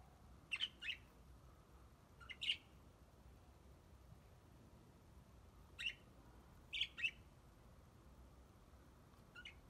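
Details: Aviary budgerigars calling with scattered short, high chirps, singly or in pairs, separated by gaps of one to three seconds over a steady low background noise.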